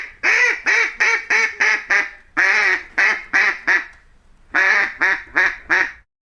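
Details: Duck quacking in a steady series of loud, nasal, slightly falling quacks, about two per second, in three bursts with short pauses between them.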